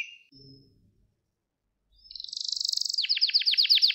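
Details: Gloster canary song meant to train birds and rouse males. Nearly two seconds of quiet with a faint low rumble, then a high rapid roll gives way to quickly repeated rising swoops.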